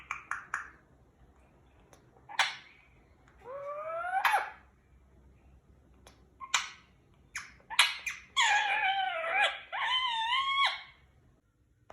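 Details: Pet Indian ringneck parakeet roaming free in a house gives sharp squeaks and nasal, wavering squawks that grow into a long, harsh, warbling run near the end, heard indoors with a person nearby.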